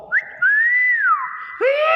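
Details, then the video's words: Common hill myna giving a short clear whistle, then a long smooth rising-and-falling whistle ending in a rougher, voice-like note; this bird mimics greetings such as "Assalamualaikum" and motorbike sounds. "BURUNG BEO GACOR SUARA ASLI"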